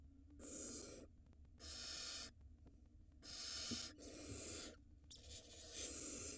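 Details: In an Israeli barn owl nest filmed live in 4K, 2022, the male gives the female a mouse for the chick. Four evenly spaced rasping hisses, each about three quarters of a second, over low background hum.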